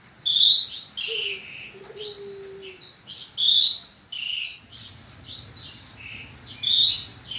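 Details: Horsfield's bushlark training song from 2022, used to make kept bushlarks sing: a loud rising whistled phrase repeated about every three seconds, with soft twittering and buzzy notes between. A faint low tone and steady low hum lie underneath.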